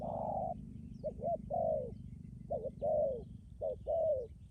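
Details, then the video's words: Cooing decoy spotted dove in Lâm Đồng, Vietnam: a long opening coo, then paired notes, each a quick note and a longer falling one, over a constant low hum. "cu gáy mồi cứng gù hậu bền"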